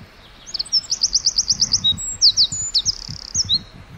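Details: Wren chirping in a forest: rapid high-pitched trilled phrases of evenly spaced sweeping notes, broken by short whistles and a sharp upward note, with faint low rumbling in the background.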